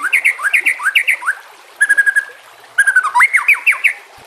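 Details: White-rumped shama singing in a training recording backed by water sounds: paired rising whistles repeated several times, a short fast rattle of even notes, then a bouncing sequence of looping whistled notes.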